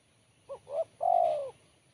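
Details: Spotted dove with a sharp, crisp voice sings a three-part phrase: a tiny first coo, a rising second coo, and a long sustained coo that sinks at the end.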